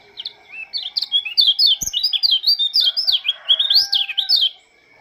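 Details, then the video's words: Oriental white-eye (pleci) of Lombok singing at dawn, a lively, nonstop warble of high sweet chirps and quick up-and-down slurs, steady and loud for several seconds before fading out, with a faint click in the background. "Kicauan burung pleci lombok sang penyambut embun pagi"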